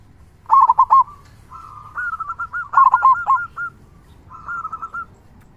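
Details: Local zebra dove singing with a large 'kung' voice: two loud bursts of rapid, rolling coos alternating with gentler, slightly higher trilled phrases from a second dove.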